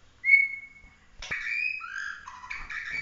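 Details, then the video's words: Genuine Bahorok white-rumped shama, a competition-quality bird: one long, steady pure whistle, a pause, then a string of flat and gently falling whistled notes. "kicau prestasi full emosi suara tembakan murai batu Bahorok asli"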